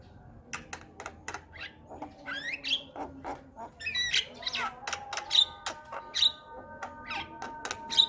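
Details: Mature Javan myna singing loudly while nodding its head: a busy run of harsh squawks, clicks and sharp chattering notes, with some higher whistled pips mixed in and faint music underneath.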